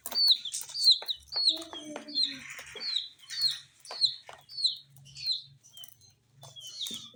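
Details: Coloured chicks at a spicy Sun Poppers feed, peeping in high descending notes at a steady pace, with a lower drawn-out tone near two seconds and scattered tapping of beaks.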